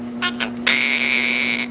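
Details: Captive Quaker parrot known for copying words and dogs: two short clipped syllables, then a long, even, nasal harmonic tone held for about a second. Steady background hum; a person is chatting nearby.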